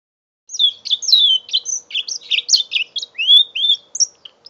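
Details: Young mule canary, five months old, begins after a half-second pause with a lively string of high chirps, downslurred whistles and short trills that continues steadily to the end; phone recording, November 2011.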